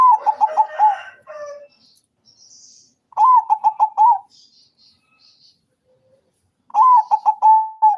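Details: Morning calls of a zebra dove: three separate bursts of rapid staccato cooing, each opening with a slightly rising note followed by five or six short even notes, spaced a few seconds apart, with faint chirps between.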